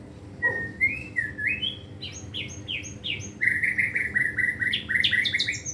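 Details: Caged white-rumped shama (murai batu) in training, delivering a varied song: rising whistled slurs, then a fast run of repeated sharp downslurred notes and high chips, over low background hum.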